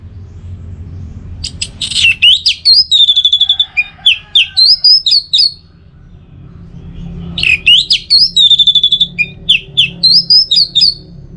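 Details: Orange-headed thrush tutor song from northern Bali, used to trigger the teler style. Two long bursts of rapid, rising and falling whistles and chatter, with fast repeated notes and a pause between bursts.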